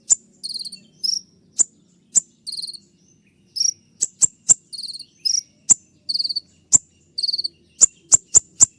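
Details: Kolibri ninja, or olive-backed sunbird, giving loud shot-like 'tembakan' notes for song training: high snapping ticks mixed with brief, rapid trilled bursts, ending in a quick series of four clicks.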